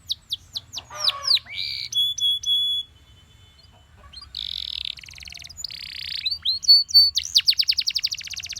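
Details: Belgian canary singing in the morning: a fast, varied song of high trills, buzzy rolls and sweeping whistled notes, with brief pauses between phrases.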